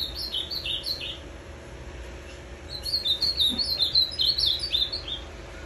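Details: Azulão macaco song of an Ultramarine grosbeak recorded 23 December 2020, a bird that arrived the night before after three days travelling by bus; quick strings of bright warbled whistles, a short pause, then a louder, denser run.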